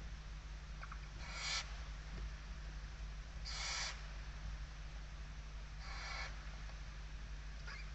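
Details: Barn owl inside a nest box in Spain on 16 November 2023, a watchful mother with a kestrel near the nest, gives harsh, breathy hissing screeches, three half-second bursts 2–2.5 s apart, over a low electrical hum.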